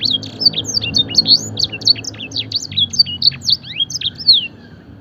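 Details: Canary mimicking blackthroat in a training song: rapid, clear high chirps and slurred whistles in dense bursts, growing slightly sparser toward the end.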